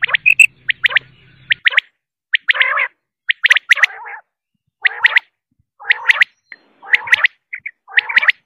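Quail giving clipped, bright chirps in quick clusters of two or three, mixed with harsher rasping notes, about once a second; a faint low hum at the start.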